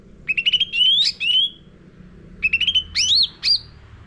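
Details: Caged sooty-headed bulbul giving lure song for training birds: short chirp runs rising into slurred whistles, in two phrases about two seconds apart.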